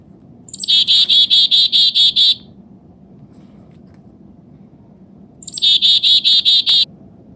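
A chickadee gives two chick-a-dee calls: a thin high opening note, then a fast run of seven or eight buzzy dee notes. A low rumble hums underneath.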